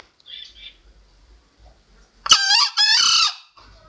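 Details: Crowing of a green junglefowl, recorded as a trapping lure: faint soft notes, then one loud, hoarse, broken crow in two quick rasping bursts lasting about a second, fading into quiet.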